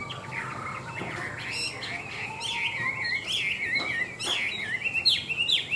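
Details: Caged Chinese hwamei in Vietnam, tame and big-bodied, described as singing well: a continuous fluid warble of wavering whistles, ending in bright upward-flicked notes, with light background noise.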